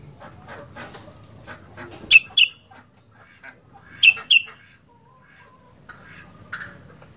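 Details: Kutilang, or sooty-headed bulbul, presented as a 'gacor fighter' bird: two pairs of loud, piercing chirps that slide down at the end, about two seconds apart, amid softer chattering and a fainter call near the end.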